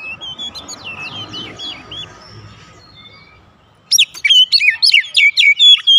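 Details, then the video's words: White-rumped shama song used to coax other birds into answering; a soft chirping phrase, a quiet gap, then a loud run of sharp, rapidly repeated whistled notes. "PANCINGAN KACER MANAPUN AUTO RESPON NGEPLONG"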